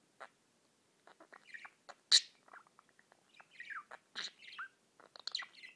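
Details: A pet budgie tweets in a quiet room, giving scattered short clicks and chirps with a few downward-sliding chirrups and one sharp loud chip, all spaced irregularly.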